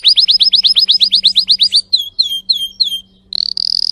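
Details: Strong-voiced Timbrado canary: a quick run of about fifteen loud sharp chirps, several slower falling notes, a short gap, then a fast rattling trill, over a faint low steady hum.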